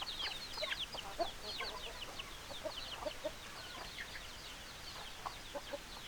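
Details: Chickens call in a dense overlapping chorus: high downslurred peeps at about two and a half per second, irregular, with brief low clucks mixed in.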